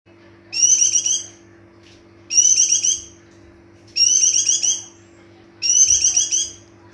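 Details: White-eye in breeding condition singing: four high, bright warbled phrases, each under a second, repeated roughly every one and a half seconds, with a steady low electrical hum beneath.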